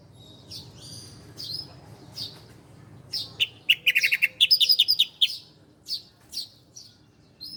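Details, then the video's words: Bar-winged prinia, a ciblek Koya, on a master recording for training cage birds: near silence, then scattered high chirps and a fast run of sharp, bright notes near the middle, followed by spaced single chirps. "masteran burung ciblek Koya"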